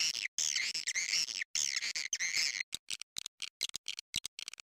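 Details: Edible-nest swiftlet (Aerodramus fuciphagus) lure call used to attract swiftlets: high, buzzy twittering chatter for over two seconds, then a run of quick, dry clicks and short chirps.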